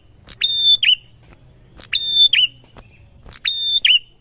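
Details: A prinia call used to make prinias answer: a high phrase about every one and a half seconds, made of a sharp note, a level piercing whistle, then a quick downslurred flourish. The background is otherwise quiet.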